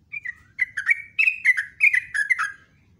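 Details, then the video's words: Sooty-headed bulbul in lively, long rolling song: a run of clear whistled notes, each dropping and bouncing in quick bursts about every third of a second, a steady chattering phrase. "PANCINGAN TRUCUK STRES,ROPELAN TOP"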